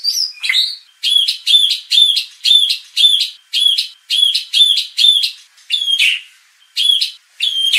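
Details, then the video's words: Provocation song of a white-rumped shama for training contest birds' fighting spirit; a long series of identical sharp, metallic chip-whistles repeated twice a second, broken by a brief slurred note and a short gap. "MURAI BATU BIKIN RAME | pancingan murai batu agar emosi bongkar isian"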